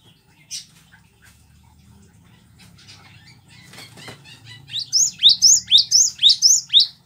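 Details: Cinereous tit master song for captive birds: rustling and faint fluttering at first, then a steady run of eight loud, high, rising-and-falling whistled notes, about two per second.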